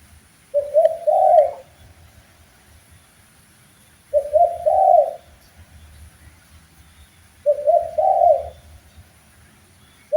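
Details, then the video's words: Spotted dove training recording meant to get birds singing: three soft, low cooing phrases, each a short rising-falling sequence of mellow notes, repeated about every three and a half seconds over a faint low hum. "MASTERAN BUAT BURUNG TEKUKUR SUPAYA GAC0R DAN BERGAIR4H‼️Wajib Respon"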